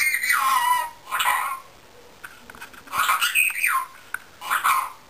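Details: Indian ringneck parakeet calling: four loud, harmonic, wavering calls that slide downward, each about half a second long, separated by short pauses, with a steady high electronic whine in the background.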